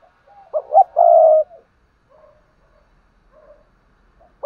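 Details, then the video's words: Decoy spotted dove cooing to prompt newly trapped birds to call: a loud phrase of two short notes and a drawn-out mellow hoot, followed by soft distant coos and a fresh phrase starting at the end. "Tiếng chim cu gáy kích bổi nhanh nổi// cu gáy mồi luyện bổi nhanh gáy"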